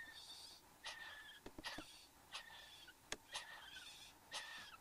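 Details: Satin bowerbird male and female at the bower in Australia, 15 November 2014, 9:05 am, caught on a bower camera: hoarse, harmonic calls that slide downward, with buzzy upper tones and several sharp clicks or taps between them.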